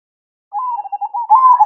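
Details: Zebra dove's night-time 'manggung' song: a brief, low, mellow cooing phrase of fluttering notes that swells louder at the end.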